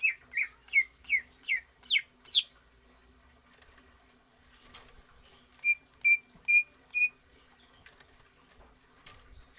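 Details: Greater green leafbird kept caged and trained for stamina without free-flight exercise: six loud upslurred chirps about every half second, a pause with faint clicks, then four shorter level whistled notes.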